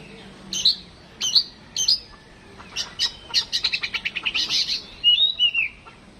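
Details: Oriental magpie-robin kept at home, singing during a mental test: three spaced, ringing high chips, a rapid run of pulsed notes, then a twisting falling whistle.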